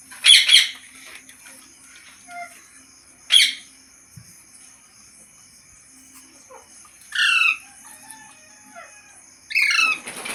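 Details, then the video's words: Green parrot uttering a few sharp, loud calls several seconds apart, some as stacked harmonic notes, with near-silence between them. "Green Parrot Talking Natural Sounds | Tote Ki Awaaz | Mitthu Ki Awaaz"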